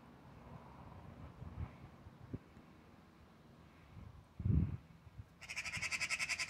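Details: An angry Eurasian magpie, persistently confronting a cat that the recordist thinks won, bursts into a harsh, rapid chattering rattle near the end, after quiet background rumble and a dull thump.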